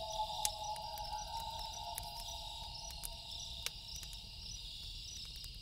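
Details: A loon at night gives a sustained, even wail that fades after about three seconds, accompanied by dense cricket trilling and intermittent snapping of a fire.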